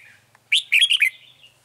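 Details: Red-whiskered bulbul at a trap, recorded 9 March 2020, delivering one short, punchy phrase of bright, liquid warbling notes, trailing into a faint thin whistle.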